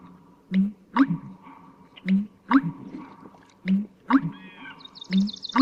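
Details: American Bittern giving its deep, gulping pump-er-lunk, a low two-part boom repeated about every second and a half, with a swamp sparrow's lazy, even trill in the background.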